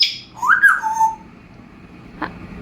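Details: Talkative pet African grey parrot at home during affectionate play with its owner: a short rising-then-falling whistled phrase lasting under a second, then near silence broken by one soft knock.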